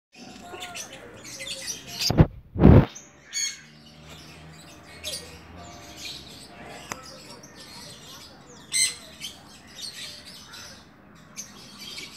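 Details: Hand-fed sun conure chicks give scratchy, high chirps, while two loud thumps and rustling interrupt early on.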